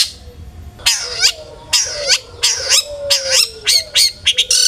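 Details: Long-tailed shrike song used as a lure to make other shrikes sing: harsh, broadband chattering bursts repeated about every half second, with a faint sustained lower tone running underneath.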